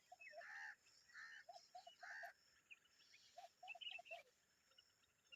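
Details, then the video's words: Common babbler with her young making noise: three harsh, buzzy bursts about a second apart in the first half, then softer chirps, with repeated low cooing notes from another bird underneath. "The common babbler and her babies are making noise"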